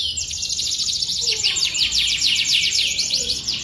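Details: Canary in full song with a rich, varied style, delivering a fast continuous high rolling trill of rapid repeated sweeping notes, dense and unbroken throughout, over low background noise.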